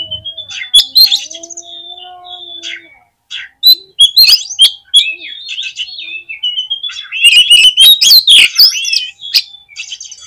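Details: Oriental magpie-robin song played to rouse other magpie-robins, with long whistled notes, then an intense, fast run of harsh chattering, clicks and twisting whistles, loud and close throughout.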